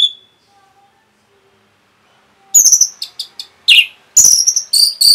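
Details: Rapid 'rapet' song of a kept Orange-headed thrush, used to stir other birds into singing: after a near-silent start with one brief whistle, quick clusters of sharp, high chattering notes and slurred whistles tumble out in the second half.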